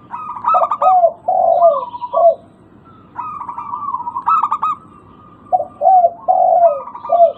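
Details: Local zebra dove used as a calling lure: repeated phrases of rapid stuttering coos, each followed by falling, drawn-out notes, with a pause of about a second between phrases.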